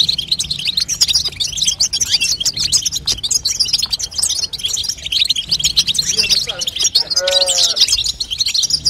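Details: Female European goldfinch calls aimed at making a young goldfinch sing: nonstop high twittering chirps, with a brief lower harsh squawking note near the end.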